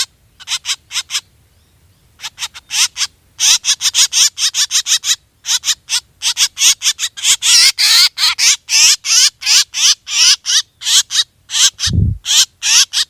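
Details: Black drongo hunting-lure calls: stuttering bursts of harsh, quavering notes that build into a dense chatter. A single low thump is heard near the end.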